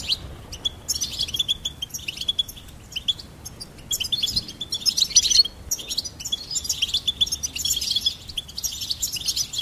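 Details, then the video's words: A goldfinch sings in fast, tinkling runs of high twitters and chirps, with thin buzzy notes woven through and hardly a pause. "Charming Goldfinch Peep"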